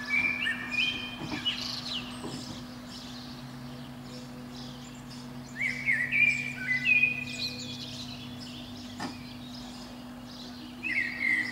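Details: Eurasian blackbird singing from the top of a pine below a window on a spring morning, a protected species whose singing runs from about five to seven a.m.; fluty warbled phrases with high twittering endings, three bursts separated by pauses, over a steady low hum.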